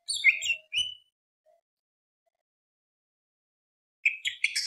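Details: Greater green leafbird with gacor song meant to provoke rival birds into singing: two short bright whistled phrases, a pause of about three seconds, then a fresh burst of high, jumbled chirps.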